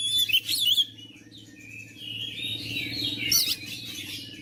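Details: Oriental magpie-robin singing, a mute, lazy bird meant to be provoked into full song: short bright chirps and twittering at the start, a thin sustained whistle through the middle, then another burst of sharp notes; a low steady hum beneath.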